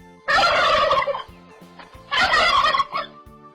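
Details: Domestic farm turkey gobbling in two loud, rapid, rattling bursts about two seconds apart, with a quiet steady musical tone underneath.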